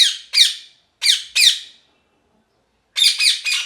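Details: A parrot repeats loud, buzzy squawks in pairs and a closing triplet, separated by short silent pauses.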